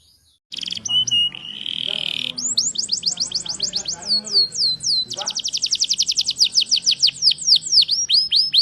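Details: Captive canary singing an Indonesian masteran tutor song, used to prompt other caged canaries to sing: after a brief silence, buzzy notes and whistled downslurs lead into long runs of rapid, repeated sweeping syllables.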